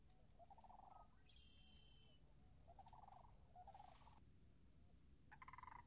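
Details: Sandhill cranes near a marsh with its puddles still frozen, March 26th 2019: several short rolling, rattled calls spread across the clip, with a brief higher thin tone from another source early on and steady low background rumble.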